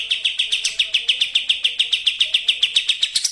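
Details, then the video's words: Racing-style bait song of a sooty-headed bulbul, used to prompt other birds into singing: an even, fast string of sharp, high chirps at roughly three to four per second, steady in pitch throughout. "pancingan burung kapas tembak racing"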